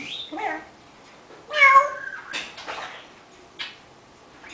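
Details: An 18-year-old pet African grey parrot imitates meowing indoors, giving a drawn-out, wavering cat-like meow amid softer chatter.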